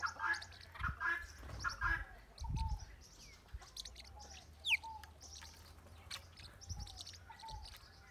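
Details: Blue-winged parrotlets in northern Bahia, Brazil, give short, buzzy chattering notes in bursts, about one a second, with thin whistles from other birds and low rumbling background noise.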